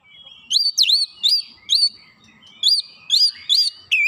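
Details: Oriental magpie-robin song used as a lure to trigger a response: crisp whistled notes that swoop down and then rise, repeated roughly twice a second with a short pause in the middle, and faint low background noise.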